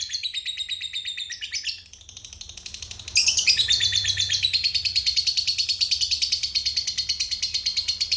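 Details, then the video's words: Ngekek panjang long trill of a lovebird, played as a lure to provoke other lovebirds: fast chattering notes, a brief dip and pause near two seconds, then a louder, steady run of shrill repeated notes resumes and continues to the end. "Suara Pancingan Burung Lovebird Ngekek Panjang"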